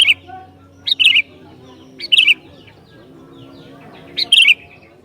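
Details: Persistent song of a sooty-headed bulbul meant to provoke others of its kind; four rich, gurgling whistled phrases, each opening with a high note and rolling down, spaced one to two seconds apart, faint hum beneath.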